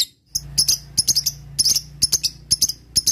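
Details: Lovebird lure calling: bright, high, clipped chirps in pairs and triplets, roughly two per second, over a faint low hum.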